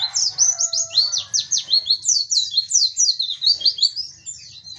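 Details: Open-beak song of an oriental white-eye, with Dakbal, Pacitan and Muria types compared: dense, very high chattering of sliding chirps in quick bursts, plus a few brief lower tones at the start.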